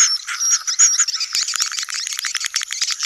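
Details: Swiftlet colony calls in the sedot anakan style for attracting birds to a new building: a few high whistled notes at first, then rapid rattling clicks and chatter from many birds.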